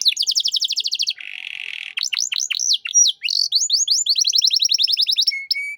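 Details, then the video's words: Canary song for tutoring young birds: a fast rolling trill, a buzzy churr, sharp downward sweeps and a second quick trill, ending on a held whistled note. "Masteran Kenari Gacor Cengkok Mewah untuk Burung Bahan"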